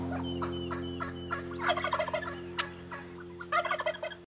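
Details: Wild Texas turkeys gobble in rapid, rattling bursts, several birds overlapping, over a steady low hum.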